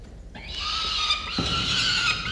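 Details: Peregrine falcon chicks, two young at their nest, one a harsh, drawn-out wailing cry with a steady buzzy tone and rich overtones, rising in loudness and holding for about two seconds.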